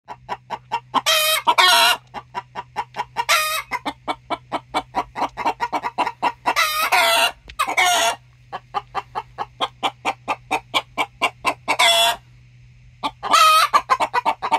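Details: Hen's egg song: a long series of rapid, evenly spaced clucks, broken every few seconds by a loud, harsh drawn-out squawk, about six squawks in total, over a steady low hum.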